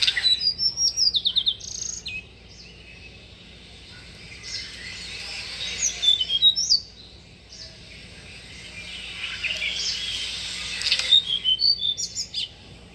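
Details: Tickell's blue flycatcher, a small songbird, calling at a bird bath: a rapid run of sharp high descending notes opens, then softer scattered tweets, ending in another quick burst of bright chirps.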